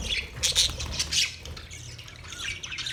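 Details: Budgies in a colony, harsh squawks and chirps loud in the first second and a half, then a fainter, steady twitter from the flock.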